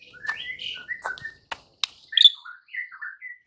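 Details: White-rumped shama lure song meant to anger rival birds: soft warbled whistles, scattered clicks, one loud sharp note, then falling whistled phrases.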